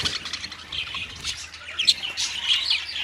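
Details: Colony of parakeets heard a little more softly, scattered shrill squawks and chirps overlapping, with a few sharper calls standing out toward the end.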